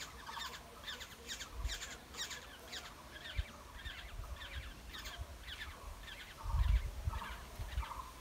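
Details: Black-hooded oriole nestlings begging as they are fed, harsh squawk bursts in a rapid series that weakens midway then returns, with low thumping knocks from movement at the nest.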